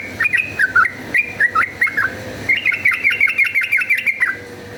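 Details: Yellow-vented bulbul in lively fighting-style song, used as a lure to rouse other bulbuls: bubbly whistled notes in short phrases, a brief pause, then a fast run of about a dozen quick repeated notes over a faint low hum.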